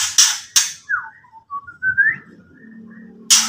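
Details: White-rumped shama giving ketrekan, a call meant to agitate rival birds: two harsh, hissing bursts open it, then soft short whistled notes rise and fall in pitch, and a final rasping burst ends it.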